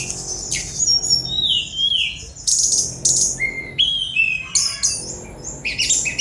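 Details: Sunda robin delivering a rich song of sweeping whistled slides, rising and falling notes and rough buzzy bursts, in closely packed phrases with brief gaps, low hum in the background.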